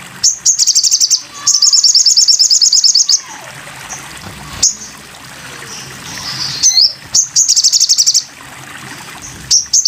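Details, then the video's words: Masteran recording of a sogon bird: repeated runs of high, rapid, buzzy notes with sharp chirps and brief slurred calls between them. "masteran burung sogon"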